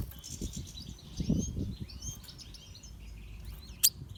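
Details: Natural pastel red siskin with a lively song of bright upslurred whistles and fast twitters, busiest in the first half, over low thumping and rustling noise, then a sharp click.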